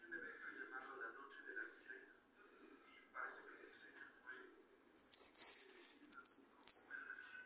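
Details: Goldfinch (jilguero) singing: faint scattered twitters early on, then a loud burst of high, buzzy, trilled notes near the end, with soft low murmuring in the background.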